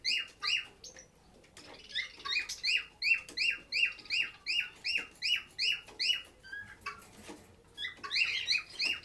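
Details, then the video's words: Lovebird at a shelter for sick birds giving a fast, regular series of sharp, downward-slurred chirps, nearly three per second, with a brief pause and a few softer notes before the chirping resumes. "Lovebird Singing & Chirping Sounds"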